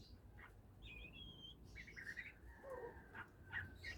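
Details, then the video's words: Oriental magpie-robin, a hobby bird just starting to sing: a few clear whistles, including a long level high note and a lower sustained tone, mixed with brief chirps over faint background noise. "kacer mulai bunyi"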